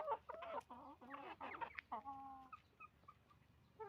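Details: Hens and roosters calling on a chicken farm, with rapid harsh clucks and squawks followed by a drawn-out nasal note and a few short higher peeps.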